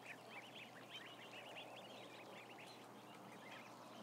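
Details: Ducklings in a big captive group, around a thousand: a busy run of high, clipped, rising-falling peeps, crowded together, with a low droning background hum.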